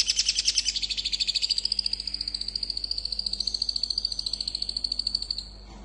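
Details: Long-tailed shrike in a speedy, dense song aimed at provoking other shrikes: one long, very fast high trill, harsh at first, then steadier and thinner before stopping abruptly.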